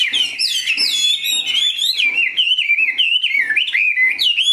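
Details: Chinese hwamei in a cage, a large purebred bird prized for its voice, sings clear looping whistles that rise and fall in quick rolling phrases, each wavering note running into the next.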